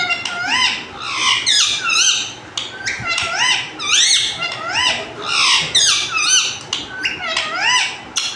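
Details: Pet parrot indoors, kept and talked to as mithu, giving a run of squeaky, rising and falling whistled calls in short bursts, separated by brief gaps.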